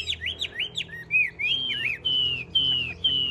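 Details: Tame Chinese hwamei kept in a cage, singing tirelessly. It gives clear, ringing whistles, each a slurred rise and fall, first quickly repeated, then as longer descending notes about twice per second.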